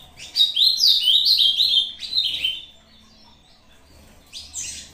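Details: Ultramarine grosbeak of the Brazuca line singing the short competition song against a recording, a fast phrase of sweet slurred whistles over about two seconds, followed after a pause by a brief high chirp.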